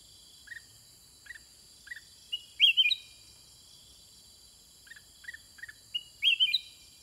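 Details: Sooty-headed bulbul singing back and forth with wild birds: soft paired chirps, then two loud, warbling, rising-and-falling phrases about three seconds apart, over a steady high insect drone.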